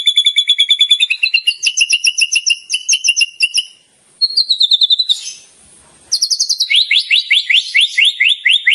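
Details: Murai batu singing actively, high mimicked phrases as a training recording: rapid pulsed trills in several registers, two short pauses and a hissy buzz, then a fast series of bright upslurred notes.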